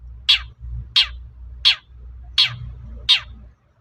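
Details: Long-tailed shrike (cendet) calling to draw replies from other shrikes: five loud, scratchy down-slurred notes at roughly 0.7-second intervals over a low rumbling background.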